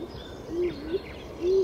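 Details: Stock dove (Columba oenas) call: soft, low, hollow coos, short muffled notes about half a second apart, over a faint background hiss.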